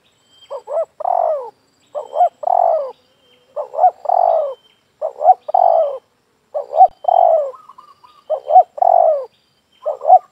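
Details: Spotted dove calling while trapping doves, a steady series of paired coos, each a short note followed by a fuller falling one, repeated about every one and a half seconds in a quiet setting.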